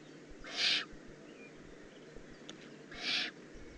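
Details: Young Eurasian eagle-owl calling in the Eifel on 18 June 2016: two loud, strongly rasping hiss bursts about two and a half seconds apart, each roughly a third of a second long.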